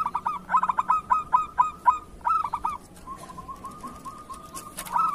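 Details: Kerot-style local zebra dove song used as a tutor for moulting or lazy doves: a fast series of loud clipped coos, then a softer rolling trill, ending in another stuttered coo.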